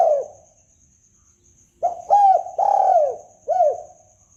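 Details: Spotted dove calling, used as a trapping lure; after a fading coo and a pause, four soft hollow coos follow, the second longest, with a faint steady high whine throughout.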